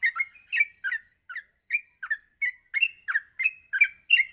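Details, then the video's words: Morning song of a yellow-vented bulbul, used to train other bulbuls to sing fluently; rapid burbling notes that rise and fall, about three per second, growing slightly louder toward the end. "masteran pagi burung trucuk untuk melatih trucuk agar cepat ngropel"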